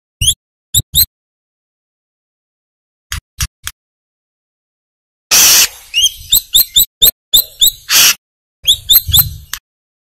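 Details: Brown-throated sunbird (kolibri kelapa, manggar variety) in lively song, recorded to train other birds. Scattered thin ticks give way to a busy stream of high chirps and swept notes broken by harsh, noisy bursts.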